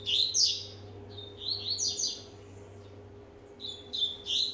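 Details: Warming-up song of a one-and-a-half-year-old rusty-collared seedeater: loud high whistled notes at the start, softer twittering phrases through the middle, and a rising whistled phrase at the end over a low hum.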